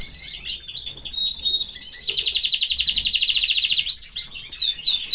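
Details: Healthy caged canary singing: bright whistled slurs, then a long rapid rolling trill of quickly repeated notes, ending in sharp upward chirps.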